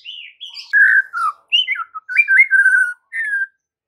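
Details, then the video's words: Lure song of a white-rumped shama for the afternoon, meant to draw singing replies from other shamas: loud, rich whistles that swoop and slur, broken into short separate phrases with small pauses between, ending on one clear falling note. "PANCINGAN MURAI BATU SORE HARI UNTUK TROTOL DAN PASTOL, AGAR MURAI NYAUT GACOR"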